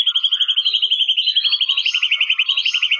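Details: White-rumped shama delivering a fast, even, high-pitched trill that runs unbroken for three seconds, with a slight rise in pitch toward the end.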